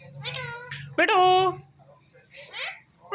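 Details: Pet ringneck parrots, a male and a female, calling while mating before a mirror indoors: two wavering, nasal, meow-like calls, the second louder and longer, then softer scratchy notes, over a steady low hum.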